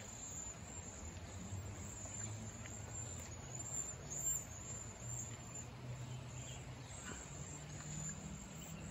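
A flock of cedar waxwings keeps up a steady wash of very high, thin, lisping trills, overlapping without pause, over a low background rumble.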